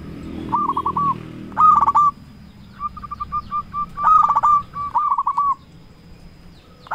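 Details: Zebra dove, a local bird, sounding a lure to draw answers from rivals. Soft coo series and sharper rolling bursts alternate, then a quiet stretch before a final note.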